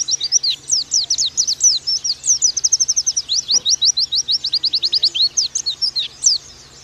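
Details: Nembak-style song of an oriental white-eye, the pleci, used as a training recording: a long, dense stream of high, sharp chirps and downslurred whistles, repeated rapidly and evenly for nearly seven seconds.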